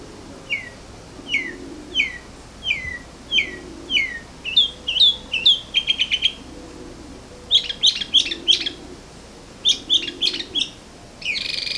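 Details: Bird singing in the morning: a series of clear, high, downslurred whistled notes repeated about every half second, then faster bursts of sharp chips and rattling trills, with soft low murmuring underneath.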